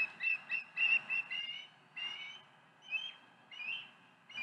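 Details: Osprey chicks calling at night: clusters of quick whistled chirps, then separate longer slurred whistles spaced about a second apart, some rising at the end.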